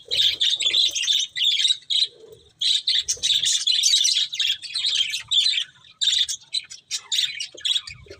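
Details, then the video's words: Budgerigars chirp in loud bursts of grating warbles and tweets, broken by short pauses every second or two. "Beautiful Budgies Chirping Sounds"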